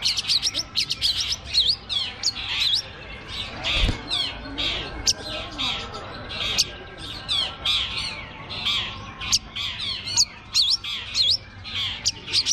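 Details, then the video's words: Long-tailed shrike song at a bird singing contest with birds on hanging perches: busy, overlapping bursts of high scratchy chirps and squawks in quick irregular phrases, with one low thump and crowd chatter beneath. "lomba burung cendet"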